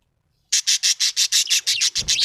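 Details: Small parrot repeating a harsh, high chirp about five times per second, a steady run of a dozen even notes that turns slightly bending near the end.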